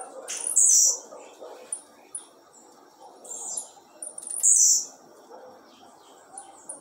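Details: Blue-black grassquit, a captive bird set outside in the afternoon, repeating a high buzzy downward-sweeping phrase about every four seconds, with faint thin chips between phrases and low background noise.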